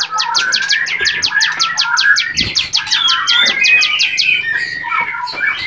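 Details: Training recording for songbirds featuring a bar-winged prinia: rapid descending notes, repeated a few times per second, overlap with warbling whistles and lower tones, in a dense, busy mix.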